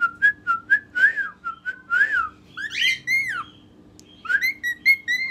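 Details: A pet cockatiel, in whistle training, whistles his favorite learned tune of clear, bouncing notes with short rising and falling slurs.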